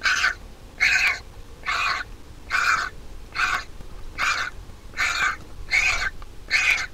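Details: Vulture nestling at the nest, fed by its mother, repeats nine short, gravelly, nasal squawks at a regular pace of just over one a second, with quiet low background noise.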